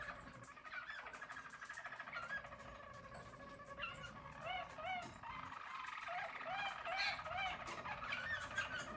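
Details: Yellow Harz German Roller canary singing in 2022; low rolling trills building into a series of repeated looping whistled phrases, about two per second.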